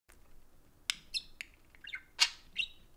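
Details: Two pet budgerigars socializing indoors around a phone, giving sparse sharp chirps and short warbled notes spaced across the seconds, with quiet gaps between.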